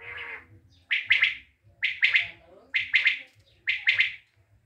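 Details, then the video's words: Common quail from Tajikistan delivering four evenly spaced, ringing triple-note calls just under a second apart, each a quick burst of three sharp pulses, with a low hum behind. "тожикстондан бедана ишкивозлари учун"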